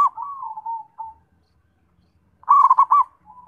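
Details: Zebra dove song opening with a long, wavering, gently falling note, then after a pause a quick burst of rhythmic rolling coos and a soft trailing note.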